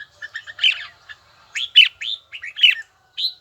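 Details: Red-whiskered bulbul practising a bell-tone song: a quick stuttering run of notes rising into a loud whistle, then a pause before several more bright, swooping phrases, roughly one per second.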